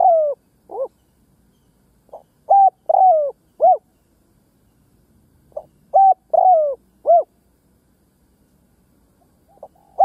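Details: Spotted dove kept as a ground decoy, cooing to provoke and lure wild doves; repeated phrases roughly every three to four seconds, each a soft lead note, two clear coos, a long sliding coo and a final rounded coo; quiet background.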